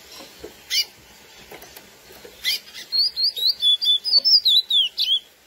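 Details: Classic curió song, given by a lesser seed finch to excite females: a few separate high chips, then a rapid string of clear, bouncing whistled notes, each sliding down and up, around two to three per second.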